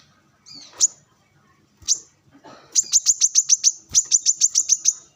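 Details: Brown-throated sunbird, known locally as kolibri kelapa or manggar, singing vigorously while being sunned and calling rivals alongside wild birds: a few scattered sharp high notes, then two rapid runs of about seven piercing, evenly spaced chips.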